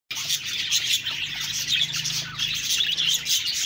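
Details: Budgerigars chattering in a dense, continuous wash of high, scratchy chirps and warbles, many overlapping voices with no pauses across the clip.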